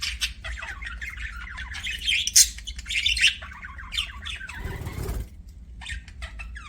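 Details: Budgies in busy chirping chatter, rapid high squeaky notes and scratchy warbles tumbling together, briefly interrupted near the end by a short low rumbling thud before sparse chirps resume over a faint hum.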